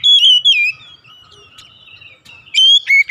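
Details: Kacer, or white-rumped shama, singing in the morning: a couple of clear falling whistles, a long faint pause, then bright rising whistles again.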